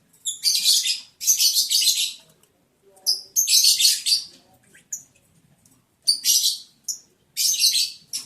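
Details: Lovebirds mating on day 11 of breeding progress, breeding season, July 11, 2022. Harsh, noisy screeching bursts follow each other almost without break, about six rasping shrieks of half a second to a second each.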